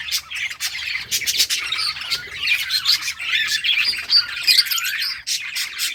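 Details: Budgerigars at play in a summer breeding colony: a dense rattle of chirps and squawks building after a quieter start, with scattered sharp high whistles.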